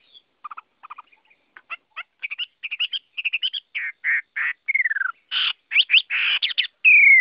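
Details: Chinese hwamei pouring out a long, varied song of short chips, buzzy notes and slurred whistles that grow louder and faster, ending in a long descending whistle.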